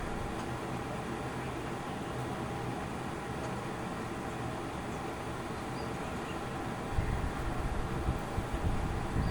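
Steady broadband hum and rumble, like a fan or passing vehicle, with no animal calls, growing slightly louder and rougher in the low range near the end.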